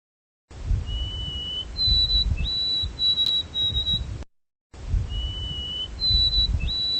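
A White-throated Sparrow gives its clear whistled song twice: a steady lower note, then higher pure notes broken into short repeated triplets, over a soft low rumble.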